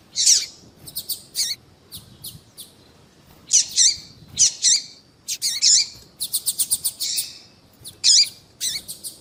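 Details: Female double-collared seedeater calling to provoke a male's song. Harsh, high, slurred chirps alternate with rapid strings of short ticks, steady activity throughout with brief gaps.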